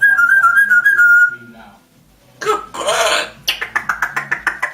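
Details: Pet African grey parrot kept indoors, talking and whistling; a warbling whistle, then speech-like noisy syllables and a fast series of clicking pulses.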